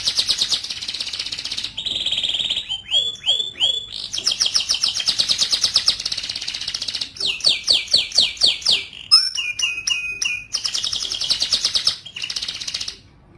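A white canary sings a long, unbroken song of high, rapid trills and rolling tours, with a few swooping whistled notes between them.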